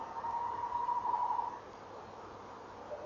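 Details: Tawny owl calling at a nest box in the evening, 28 November 2013, around 19:22, with a pair present: a single steady, even-pitched hooting note held about one and a half seconds, then quiet background hiss.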